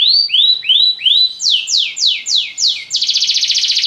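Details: Belgian canary in lazy song: four rising upswept whistles, then five quick downward slurs, ending in a rapid buzzy high trill. The phrases run evenly with no background noise.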